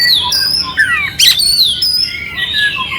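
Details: Oriental magpie-robin (kacer) song for arousing a calm bird: long sweet whistles gliding downward, a sudden harsh rasping burst midway, then more sustained whistled notes.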